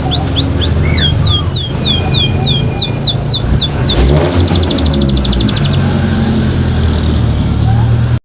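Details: A pet canary sings lively while taking a bath: a run of downward-swooping whistled notes leads into a quick, tight trill, then fades; a loud low rumble of engine-like noise runs throughout.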